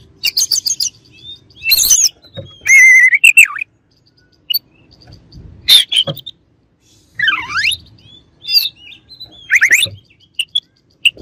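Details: White-rumped shama singing in bursts: clear whistled notes, a sharp falling-then-rising sweep and loud harsh buzzy chatters separated by short pauses, with faint low background rumble.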